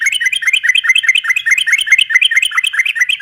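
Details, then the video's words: Fast, unbroken chattering song of a yellow-vented bulbul, used as a lure for silent birds: tightly packed whistled notes, several per second, loud and busy throughout. "kicau suara trucukan gacor ropel panjang ini ampuh buat pancingan trucuk macet agar nyaut bunyi lagi"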